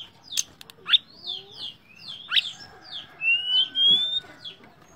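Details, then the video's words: Shortwing (tledekan pring) singing: sharp downward-swept notes and buzzy chirps followed by a long, rising, clear whistle, phrases delivered quickly over faint background noise. "Terapi BURUNG TLEDEKAN PRING gacor nembak dan ngerol"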